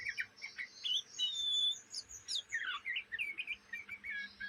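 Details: Juvenile Oriental magpie-robin from Indonesia chattering day and night: scratchy twittering mixed with a long thin high whistle, then a run of jerky warbled notes, quick and uneven.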